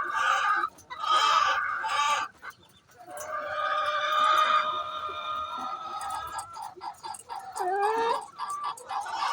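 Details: Hen calling before laying an egg: loud harsh clucking bursts and drawn-out squawks, with a lower, more nasal call near the end.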